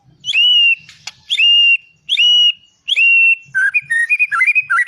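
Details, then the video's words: White-rumped shama song: four loud, pure whistles, each starting with an upward flick and held steady, spaced about a second apart. They are followed by a quick run of varied bubbly notes. "Suara muray matap"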